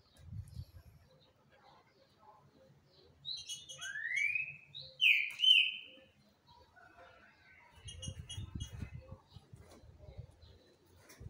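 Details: Green-winged saltator singing a lot: a few loud, clear whistled slurs bunched in the middle, some sweeping up and others bending down, between quiet stretches with low rumbling background noise.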